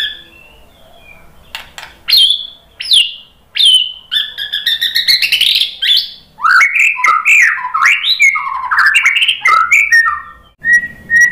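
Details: White-rumped shama lure song for goading other birds to sing. Scattered sharp whistled notes build into a sustained buzzy trill, then a lively rush of varied rising and falling phrases, with a final clear whistle.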